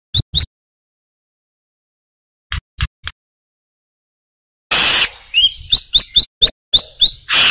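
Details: Brown-throated sunbird (kolibri kelapa, manggar type) in full song for a training recording. A few isolated high clicks lead into a dense run of sharp, thin chirps with downward-sweeping notes and harsh rasping bursts.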